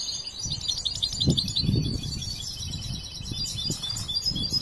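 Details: Young European goldfinch, followed since hatching and trained but still developing its song, gives high rapid twittering over low thumping and rumbling noises throughout.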